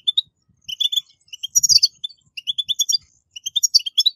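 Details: European goldfinch singing in the style used to prompt captive birds to sing: quick runs of high, clear chirps and buzzy twitters in short phrases, with soft low knocks underneath.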